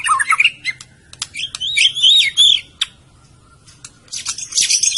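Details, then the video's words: Medan white-rumped shama delivering a rich, jumbled song of warbled and looping phrases, broken by sharp ticking notes and a brief pause, ending in a dense burst of high twittering. "kicau burung murai batu medan"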